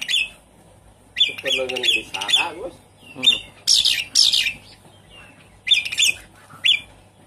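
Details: A Javan pied starling's varied song, played to make a silent caged bird sing: raspy chirps mixed with lower, nasal squawking notes and loud grating bursts, with short pauses between phrases.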